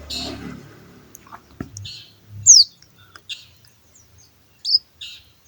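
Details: A captive-bred, hand-raised Bar-winged Prinia chick, 25 days old and calling for the first time, gives a few short, thin, high chirps and squeaky notes spaced irregularly, with faint speech and handling noise at the start.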